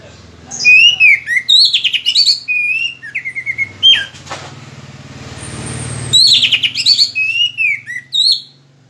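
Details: Moulting orange-headed thrush in full song, pouring out rapid runs of clear whistles and sharp upslurred notes, a soft hiss and faint rumble in the gap midway, then another energetic burst of varied phrases.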